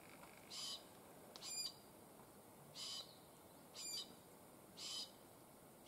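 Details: Glossy black cockatoo giving rasping, wheezy screeches, five harsh bursts spaced about a second apart, each short and grating, against a quiet, steady outdoor hiss.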